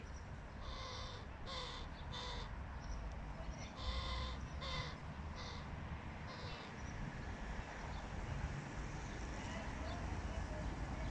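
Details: Crow father feeding his fluffy fledgling son; a run of short, harsh, nasal begging calls, several in quick succession, then scattered quieter ones, over a steady low rumble of background noise.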